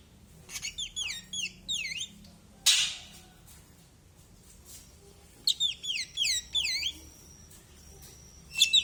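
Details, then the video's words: Male ashy drongo singing: two bursts of quick, high, down-slurred whistled notes in rapid series, each phrase about a second and a half long, separated by a sharp broadband noise burst and quiet gaps. "Burung Srigunting abu jantan"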